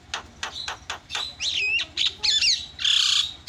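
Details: Javan myna lure call meant to set other mynas calling: sharp clicks followed by harsh, squawking slurred notes and a rasping buzzy ending, over a steady low hum.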